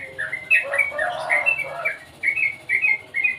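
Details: Sooty-headed bulbul song, a series of bubbly, mellow whistled phrases rising and falling, repeated in short bursts about every half second, with a brief muffled rustle partway through.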